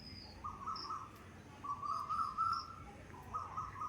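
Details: Two Asian koels, one far away and one nearby, answer each other in a competition of repeated, rising, fluty phrases that climb in pitch, as faint, thin, high chirps from another small bird sound over a quiet background.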